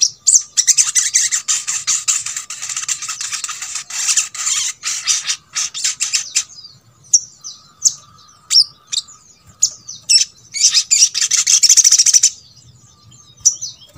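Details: Crimson Sunbird song, used to make other birds of its kind start singing. Long runs of rapid, high, scratchy twittering alternate with spaced sharp chirps and short downslurred notes. A dense burst near the end is followed by a few isolated notes.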